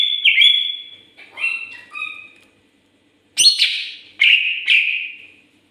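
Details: Greater green leafbird singing briskly: a held whistle that dips, soft twittering notes, a pause, then a sharp loud note and two bright, fading whistles.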